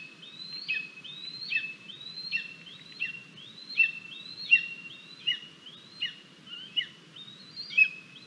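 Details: Nestling lesser spotted eagle on a nest cam at morning feeding, 17 August 2022, while the mother brings two frogs and a vole: a long run of clear, piping whistles, each ending in a drooping slur, given about once a second.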